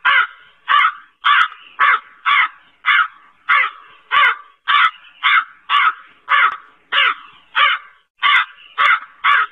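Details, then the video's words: Black crow giving harsh, raspy caws in a steady series, about one and three-quarter calls per second, each note short and hoarse, with no other sounds. "SUARA BURUNG GAGAK HITAM"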